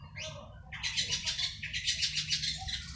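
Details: Captive Long-tailed shrike singing a harsh, scratchy chatter of dense high notes that rise and fall in quick bursts, over a low steady hum.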